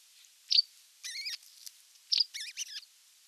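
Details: Osprey at its nest, bringing a whole fish for dinner, recorded on 27 June 2022: sharp high whistled chirps and short wavering, upslurred squeals in quick bursts, several in about three seconds.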